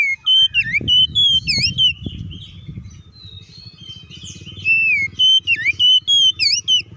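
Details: Oriental magpie-robin song in a fast, fighting 'ngeplong' style, meant to provoke other magpie-robins into singing. Loud whistled phrases with sweeping upward and downward notes, then a quieter pause, then another burst. Low rumble like an engine underneath.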